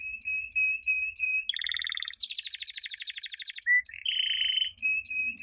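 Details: Champion canary training song from 2016, used for teaching young birds: a steady high whistled tone alternates with buzzy rolled trills, a fast rattling tour, then short clear notes and a second mid-pitched roll.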